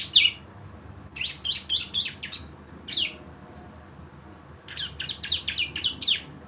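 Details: Javan white-eye performing 'gacor' shooting song used as a lure for singing: a loud opening note, a cluster of quick falling chirps, one lone slur, then a final rapid burst of high descending notes.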